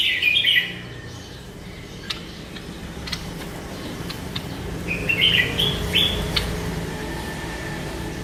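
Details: Bulbul singing: two bursts of bright warbled notes around the start and again near five to six seconds, with faint clicks and a steady low background hum between phrases.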